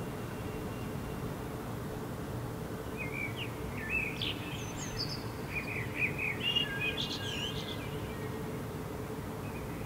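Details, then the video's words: Night song of a common blackbird in Helsinki, Finland, July 2016, under a setting full moon: a short burst of warbled, fluty phrases with high squeaky ends midway through, against constant low urban rumble. "Blackbird song in moonlight"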